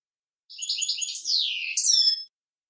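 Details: European goldfinch male sings to a young bird to instruct it, one short, bright phrase of quick chirping notes that slide into a downward swoop, ending in a sharp high twitter.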